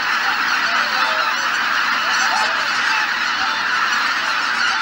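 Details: Honking chorus of a large flock of geese assembled at dawn at Izunuma marsh, Japan, on a cloudy morning before departure; continuous overlapping calls form a steady, unbroken wall of sound.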